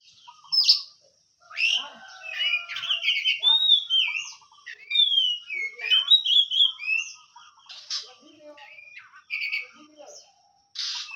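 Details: Caged oriental magpie-robin delivering a long, rich song of clear rising and falling whistles, slurred notes and scratchy bursts in rapid varied phrases, with brief silences between sections.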